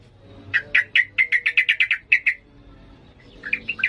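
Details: Sooty-headed bulbul, a trained bird singing in an excited 'ngalas' style, gives a rapid run of about a dozen short chirpy notes over two seconds, then a pause and a few more fluty notes; faint low hum underneath.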